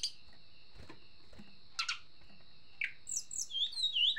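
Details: Agitated Sunda blue robin singing a few scattered short chirps, then a burst of rapid high twittering notes toward the end, with a constant thin tonal whine running underneath throughout.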